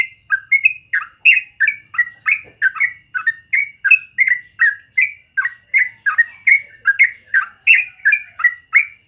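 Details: Yellow-vented bulbul singing in the morning in the long rolling 'gacor ropel panjang' style: short bubbly, warbled notes delivered about three per second in a steady, unbroken run, with no other sounds.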